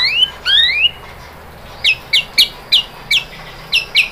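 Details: White-rumped shama song used as a lure to provoke other shamas into singing: three rising whistled slurs, then after a pause a run of sharp, downslurred high notes repeated roughly every third of a second.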